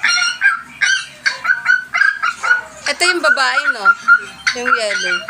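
A cockatiel gives harsh, rasping chirps and squawks in quick, uneven bursts.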